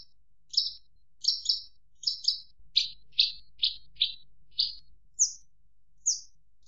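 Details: Javan bush lark song of quick doubled and single high chirps, a dozen notes at uneven intervals, ending with thinner, higher upslurred notes; faint low hum underneath.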